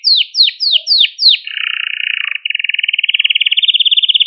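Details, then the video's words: Canary song for training and stimulating young singers: five loud descending swooping notes, then a low buzzy rattle changing into a steady rapid trill that slowly rises. "Kanarya Sesi Ötüş Eğitimi | Kanarya Ötüşü eğitimi | Kanarya Kızıştırma ve Huylandırma"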